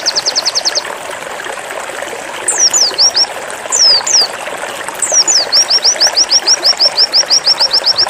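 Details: White-eye in 'zipper' song style with rapid 'nembak' bursts: a fast run of high thin whistles, then sharp downslurred swoops, then a long even series of short rising whistled notes about three per second, over a steady trickling hiss.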